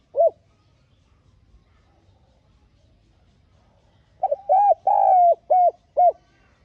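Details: A spotted dove used as a decoy bird gives a lone soft coo, then after a pause a throaty run of five low, arched coos with one drawn-out note; no other sounds.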